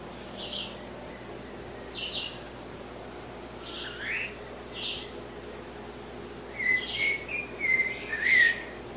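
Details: Blue-bellied parrot (Triclaria malachitacea) giving scattered short, raspy call notes, then a louder run of bright whistled and chattering notes near the end; faint background hiss.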